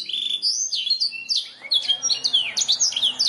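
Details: Canary song for training birds to sing: a steady whistled note, then busy high chirps, sweeping slurs and short rolled trills in a continuous stream.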